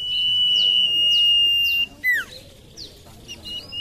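Common iora giving a long, steady, high whistle with quick downslurred notes repeating over it about every second, then a short falling whistle.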